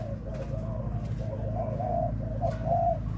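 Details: Spotted dove kept for breeding, cooing in soft, rolling phrases that end in a longer, stronger hoot, against a constant low hum.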